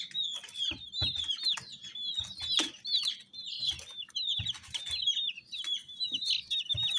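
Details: Numerous rainbow chicks peep in a thick, unbroken chorus of high, slurred notes, with scattered clicks and soft thumps.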